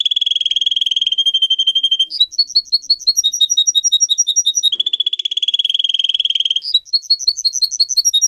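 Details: Pet singer canary training song alternating between long buzzy rolls and bursts of crisp, rapidly repeated high chirps, each phrase lasting about two seconds.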